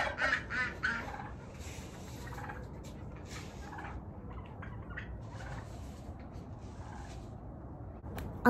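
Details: On a chilly autumn morning in the 40s, a domestic turkey hen gives a few short, throaty calls to her tom near the start; then it goes quieter, with a woman talking and a sharp sound at the end.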